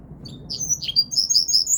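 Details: Linnet × Canary hybrid mule giving a short, high twittering phrase: a few downslurred chirps, then a quick run of bright repeated notes, with a faint low hum underneath.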